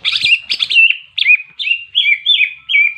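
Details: Greater green leafbird singing ngentrok jenggrik fighting song to provoke others of its species: buzzy doubled notes at first, then clear slurred whistles repeated about every third of a second.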